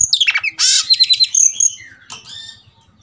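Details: Oriental magpie-robin provoked to fight, giving a loud rapid song of sweet whistles mixed with harsh buzzy bursts and quick chattered notes, fading into softer warbling.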